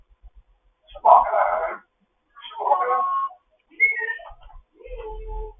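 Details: Grey parrot, a foster bird, talking in the morning: four low, speech-like mumbled phrases spaced about a second apart, the last ones softer and more tonal.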